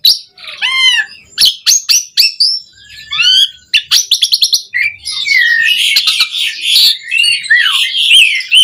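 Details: Training song of an Asian pied starling, meant to get caged starlings singing: clear rising and falling whistles, sharp clicks, then a harsh, buzzy chattering passage toward the end.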